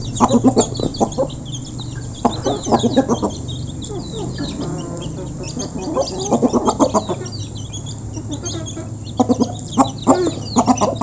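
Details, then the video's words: Flock of local chickens eating as feed is given, close recording: bursts of overlapping clucks and squawks from many birds, with quieter stretches between, over a steady low hum and faint high chirping in the background. "Local Chicken Backsound While Eating | Efek Suara Gerombolan Ayam Saat Dikasih Makan"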